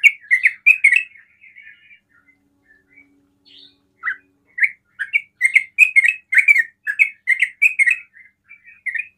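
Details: Sooty-headed bulbul in ropel song that provokes other bulbuls: an opening burst of chirps, a quieter gap with soft notes, then a long lively run of bubbling phrases.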